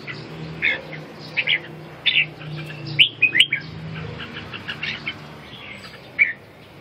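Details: Red-whiskered bulbul song of varied whistled and warbling notes, some slurred up or down, in an uneven sequence with a louder cluster midway and a final sharp note, over a constant low hum.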